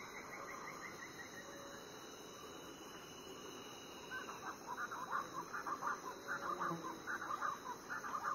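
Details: Variable Chachalacas calling before dawn on Foengoe Island, Suriname; after about four seconds of quiet, a run of harsh, rhythmic notes starts and repeats rapidly, over a steady high insect drone.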